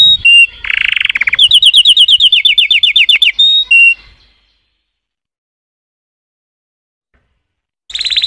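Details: A canary sings for about four seconds, a buzzy trill then a rapid run of bright repeated notes and short whistles, followed by four seconds of silence and the start of another phrase.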